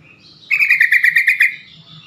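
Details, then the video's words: Yellow-vented bulbul chatter, a call said to get quick answers from other bulbuls and unblock stressed or silent birds: one loud second-long burst of rapid, evenly pulsed bubbling notes. "trucukan call AMPUH atasi burung trucukan bakalan.macet.stress langsung Nyamber bunyi."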